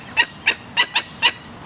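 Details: Two-week-old Barbary falcon chick begging while being fed by a one-year-old imprinted gyr x peregrine hybrid female: five harsh, raspy screeches in quick succession, each short and sharply cut off, spaced about a third of a second apart.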